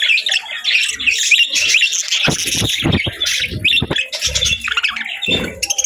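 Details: Busy chatter from pet budgerigars: sharp squawky chirps and warbled notes in quick succession, punctuated by several brief low thumps.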